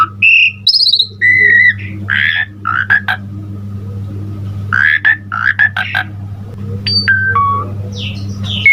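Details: Asian pied starling singing a varied full-fill song used to prompt other starlings: scattered whistles and short harsh buzzy bursts with pauses, later clear short whistles, over a steady low hum.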